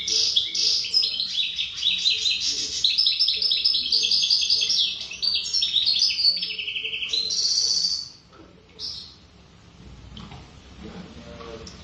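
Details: European goldfinch described as wild-type (khaloui), singing a rapid, dense run of twittering, buzzy and tinkling high notes for about eight seconds before falling quiet, with only faint soft notes afterwards.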